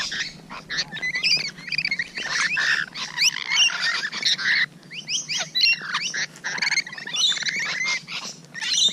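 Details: Close encounter with Rainbow Lorikeets, morning of 12 June 2017; a flock keeps up harsh, screechy chattering with quick pitch-bending squeals, calls overlapping almost without pause.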